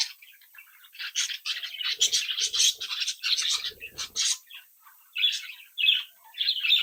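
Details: Home-bred budgerigar chicks playing and calling: dense overlapping warbles and chirps, a noisy scratchy passage in the middle, then three clear rising chirp bursts near the end.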